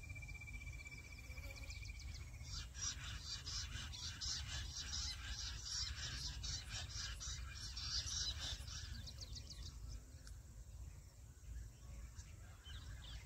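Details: Jungle bush quail calling sound used as a lure to trap several birds at once in patchy jungle: a dense run of sharp, high, squeaky notes from about the third to ninth second, over a constant low hum.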